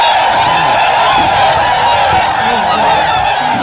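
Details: Huge wild flock of Tundra swans taking off after being spooked by a deer, Aylmer Wildlife Management Area, Ontario, Canada, March 18th 2017; a dense, unbroken chorus of many overlapping honking, bugling calls, steady and loud throughout.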